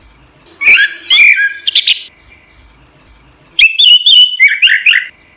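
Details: Orange-headed thrush kept in a cage, recorded as training song for other songbirds: two bursts of rich, rapid warbling with rising and falling whistled notes, separated by about a second and a half of silence.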